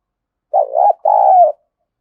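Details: Decoy spotted dove cooing to lure wild doves: one clear two-part phrase, a short wavering coo followed by a longer, steady, throaty coo. The background is silent.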